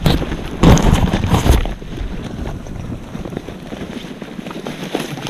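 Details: Heavy buffeting wind on the microphone, strongest early, gives way to a steady low rumble with no animal calls.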